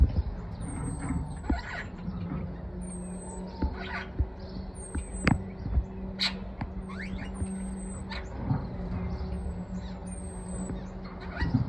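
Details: A young Superb starling born in 2022, helping its parents feed a new brood, gives thin, very high whistles that slide downward, repeated roughly every one and a half seconds, over a steady low rumble of traffic or wind.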